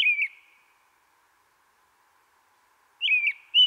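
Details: American Robin spring song in a Central/Eastern US backyard: two short, slurred, rich whistled phrases about three seconds apart, in the cheer-up, cheerily pattern; otherwise quiet.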